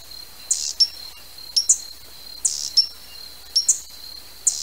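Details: Hummingbird repeating squeaky, buzzy chip pairs at a fairly quick, uneven pace, all very high-pitched, above a continuous faint high tone.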